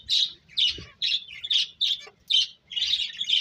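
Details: Bird giving separate high chirps about twice a second, each a short squeaky burst, the last ones running together.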